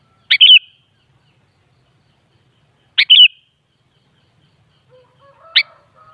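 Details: Sooty-headed bulbul (kutilang) gives two quick liquid chirped phrases about two and a half seconds apart, followed by a shorter single sharp note with faint low tones beneath. Intended to prompt a kutilang to reply.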